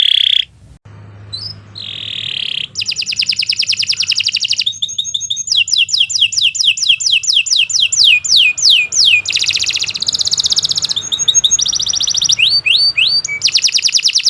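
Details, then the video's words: Canary singing long and vigorously as a training master song: rapid repeated downward-sweeping whistles, buzzy high trills and rolling phrases, changing pattern every second or two, with a faint low hum underneath. "Kicau Burung Kenari 114 II GACOR PANJANG Cocok untuk Masteran"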